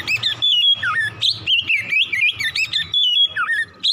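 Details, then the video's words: ['Oriental magpie-robin singing in the morning, a recording meant to stimulate other birds to sing fast and continuously: loud, varied whistled phrases with sliding, warbling notes and quick chirps in short bursts, barely pausing.'] "PANCINGAN KACER PAGI HARI CEPAT NGROPEL BUKA PARUH"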